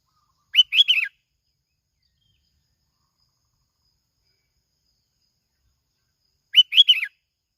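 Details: Kít bổi song of a sooty-headed bulbul from Bình Thuận, Vietnam, played as a lure: a crisp, bubbling phrase of quick up-and-down notes, repeated once after roughly six seconds of quiet.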